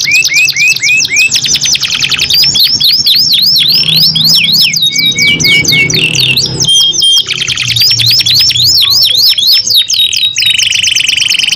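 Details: Pair of canaries in a long duet of vigorous song, trading phrases: fast buzzy trills, rows of rising swooping whistles, brief low whistled notes, and a steady rolling trill near the end.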